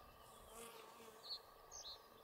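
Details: A citrine wagtail (Motacilla citreola) at Lake Cerknica on 15 May 2023 gives two or three brief, high, buzzy call notes about half a second apart, over a steady background hum of insects.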